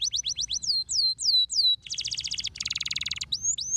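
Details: Canary song used to stimulate canaries to sing: quick run of high upslurred notes, then slower downward-swooping whistles, followed by dense buzzy rattling trills and a closing rising whistle.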